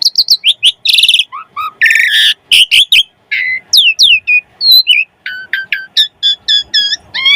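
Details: Asian pied starling in a lively full song used to prompt other birds to sing: fast varied phrases of whistles, harsh buzzy bursts, rapid trills and repeated ringing notes with harmonics, densely packed with few pauses.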